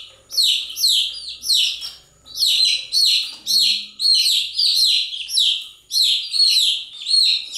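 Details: Many chicks peep without pause, their high, falling notes stacking into rhythmic waves about twice a second.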